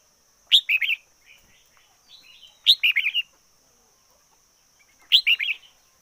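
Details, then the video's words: Red-whiskered bulbul decoy singing the same loud, bubbly whistled phrase three times about every two seconds, with faint softer chirps between. "Chim chào mào mồi hót căng lửa nhất 2021. Noog diab qhuaj zoo heev 2021"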